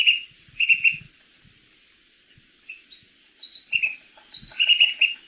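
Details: Pygmy Nuthatch, a canopy bird in winter on the Mendocino Coast, gives high, squeaky piping notes in quick bursts of two or three with pauses between; faint low knocks underneath.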